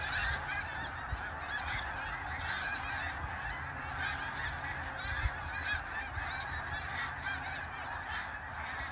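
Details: Snow geese in a huge migrating flock, a dense continuous chorus of overlapping nasal honks and yelps from countless birds, with no pauses and a steady low rumble underneath.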